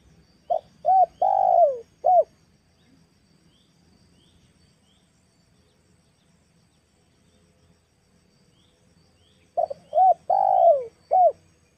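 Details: Female spotted dove used as a lure for wild doves: two phrases of low cooing, short notes then a long, slurred falling coo and a final short note, separated by about seven seconds of quiet.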